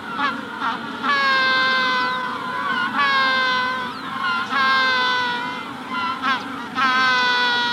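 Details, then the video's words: Magellanic penguin in a colony at the hatching stage, giving loud, long, rich harmonic braying calls in bursts of about a second, some rising and wavering. Faint rufous-collared sparrow whistles sound behind them. "Magellanic Penguin / Calls MD In Colony At Hatching Stage"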